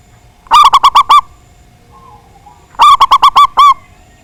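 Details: Big-voiced local zebra dove singing persistently to draw rivals into song. Two rolling phrases of five to six quick coos, the second ending on a longer held note, a little over two seconds apart.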